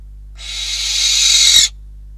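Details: Harsh, breathy hiss-screech from a barn owl at the nest in Catalonia, December 2021, during prey deliveries. It swells in loudness for over a second and ends with a few soft knocks.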